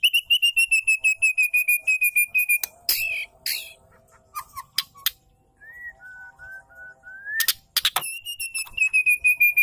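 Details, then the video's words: Call of a female white-rumped shama, meant to stir males into full song: a fast run of harsh, rasping repeated notes, loud clicks, a pause, soft level whistles, then the rapid rasping series again. "pancing dengan suara murai betina gacor"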